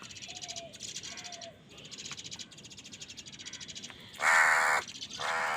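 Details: A crow in a fight for food lets out one very loud, drawn-out raspy caw and then a shorter one. Before them comes softer buzzy chatter from other birds, with a few whistled notes.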